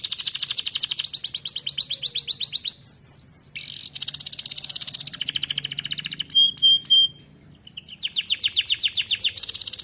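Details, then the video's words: In an aviary, a young canary starts singing with long runs of rapid, high trilled notes broken by short downslurred whistles, a pure steady whistle and brief gaps. "Kenari muda mulai gacor"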